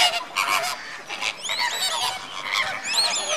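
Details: Dense honking chorus from the greater flamingo flock at Slimbridge before bedtime, January 2016: many birds giving nasal, goose-like honks that overlap continuously, with rising and falling inflected notes.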